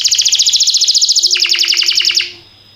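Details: Canary training song with a rapid, even rolling trill of bright notes lasting about two seconds, then fading out to a quiet low hum.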